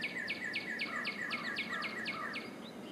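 A northern cardinal sings a fast run of about ten clear, sharply downslurred whistles, roughly four per second, over a steady insect drone.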